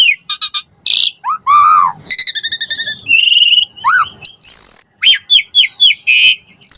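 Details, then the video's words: Lure recording of an Asian pied starling in full song meant to prompt lazy starlings: quick chips, slurred whistles rising and falling, rapid stuttered rattles and a run of short repeated whistled notes. "JALAK SUREN GACOR FULL ISIAN MOMPA AMPUH DIJADIKAN PANCINGAN JALAK SUREN MALAS BUNYI"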